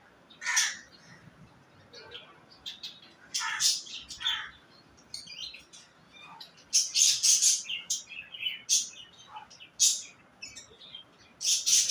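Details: Budgerigars give harsh, scratchy chirps and squeaky bursts in irregular chattering runs during courtship and mating.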